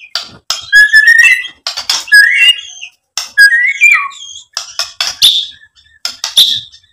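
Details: White-rumped shama, used as a lure recording to provoke another bird into answering and singing; loud phrases of rising whistles mixed with harsh buzzy notes, broken by short pauses roughly every second.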